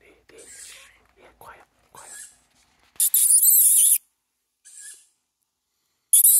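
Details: Young tawny owl calling for food, giving a loud, breathy hissing screech of about a second, then a fainter short hiss and another loud burst. Soft low murmurs and rustles come before the calls.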